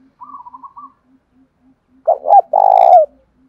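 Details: Spotted dove kept as a decoy to lure wild doves and provoke them to fight, singing in the 'giọng thổ pha' voice style. A short wavering twitter, then two quick coos and a long rolling croo, with faint regular ticking beneath.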